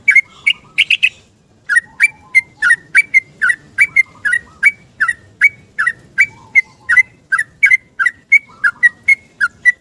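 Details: Morning song of a yellow-vented bulbul seeking a companion, used as a lure for quiet bulbuls. A few sharp chirps, a brief pause, then a long steady series of whistled notes, about three per second, alternating between two pitches.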